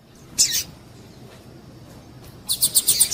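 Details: Female double-collared seedeater's piado, played to excite males kept for singing tournaments: one sharp high chirp, a pause, then a quick run of about six bright, evenly spaced high notes.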